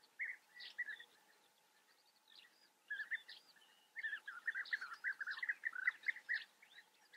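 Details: Several European bee-eaters calling in Germany's Eifel: bursts of purring, liquid notes separated by quiet gaps, growing into a dense overlapping chorus near the end, with thin higher chirps threaded through.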